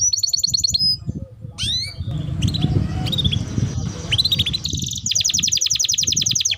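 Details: Canary song heard in the afternoon before the bird is brought inside: bright rapid trills open and close the passage, with scattered rising whistles and chirps in between over a noisy, murmuring background.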